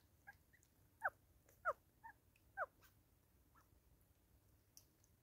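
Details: Grey go-away-bird in South Africa in 2024, birds bonding: a short run of nasal, downslurred notes, two strong ones about half a second apart and a third after a pause, with softer notes between, over a quiet background.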